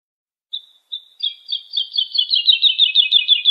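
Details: Song of a lark used for tutoring young birds: two short high whistles, then a building stream of rapid, overlapping twittering notes that grows louder and denser, with no other sounds.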